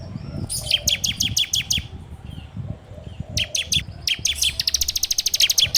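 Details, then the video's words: Bar-winged prinia (ciblek) song in 'ngebren' style, recorded on an Android phone as a lure for training birds: quick runs of sharp, repeated notes that speed up into a dense trill near the end, over low background rumble. "PANCINGAN SUARA CIBLEK TERBAIK FULL NGEBREM RAPETT!!!"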